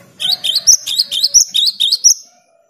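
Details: Cinereous tit in active song, played to stimulate silent caged tits into singing: a rapid run of about nine clear, sharp two-note phrases, each dipping and rising, evenly repeated over two seconds with a faint low background hum.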